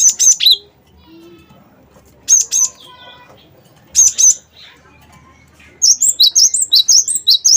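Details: Cinereous tit, wingko type, singing steadily as a lure for other songbirds: repeated short groups of two or three high whistles, then a fast run of about ten alternating high and lower whistled notes at the end.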